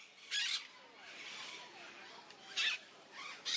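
Peach-fronted parakeet giving three harsh, high screeches, each brief and about a second apart, over a faint background hiss.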